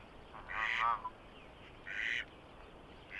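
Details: Rare vagrant Canada goose on a pond in Belarus in March: a wavering, drawn-out honk followed by two shorter, flat nasal honks spaced over about three seconds.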